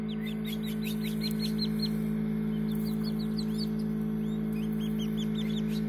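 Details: Partridge chicks just hatched in a homemade incubator, June 2019; quick runs of sharp, high downslurred cheeps, several chicks overlapping, with a constant low electrical hum beneath.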